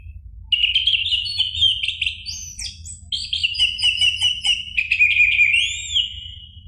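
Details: Orange-headed thrush recording used to stir a caged bird into singing: a continuous varied warble of clear whistles, trills and rising notes mixed with high mimic-like chips, over a faint low hum.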